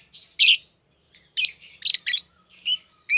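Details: A green Fischer's lovebird pair chirps in quick, uneven succession, harsh squeaky notes tumbling together with short gaps.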